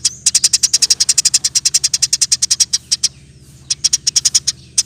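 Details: Eurasian tree sparrow, a lively 'gacor' bird in 'roll tembak spit rapat' style, kept as master song for training other songbirds: fast trains of sharp high chirps, about eight per second, with a brief pause midway, over a faint steady low hum.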